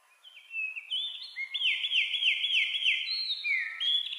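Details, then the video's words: Singing wren delivering a string of high, clear upslurred whistles repeated several times per second, with interleaved falling slurs and a final high note, over a faint background hiss. "wrens birds sound 🎶 wrens birds voice 🎶"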